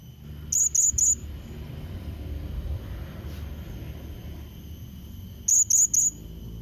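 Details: Blue-crowned hanging parrot calling to attract and provoke a rival bird: a quick triplet of piercing high chips, silence for about four seconds, then the same three-note burst again, with low background rumble.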